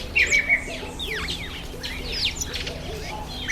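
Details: Breeding-season masked weaver, September–October: a brief whistle, then a dense run of sharp downward-swooping buzzy notes and chatter, with low soft calls in the background.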